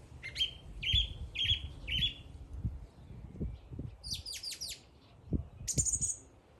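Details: A singing bird gives four quick rising chirps in a row, then a pause and a burst of rapid high sweeping notes, with soft low thumps behind.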